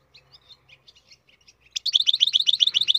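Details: A captive-bred European goldfinch gives soft, scattered high chips for nearly two seconds, then breaks into a loud, fast, evenly repeated twittering trill that runs to the end.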